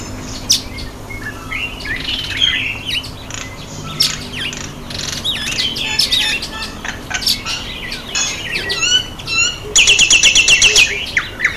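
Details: Common myna taking a bath, in gardens or parks; varied chattering, squawky and whistled notes, ending with a fast rattling series of sharp repeated notes.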